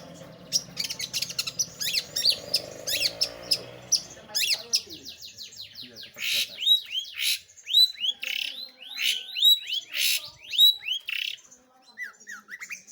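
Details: Long-tailed shrike singing actively. It opens with harsh raspy bursts, then runs into a long string of clear, downward-curving whistled notes, repeated in quick uneven series.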